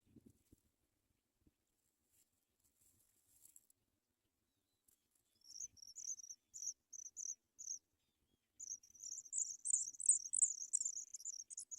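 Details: Paddyfield pipit chicks in the nest, being fed by a parent, beg with very high, thin, rapid chirps, first in short bursts, then a dense excited chorus near the end.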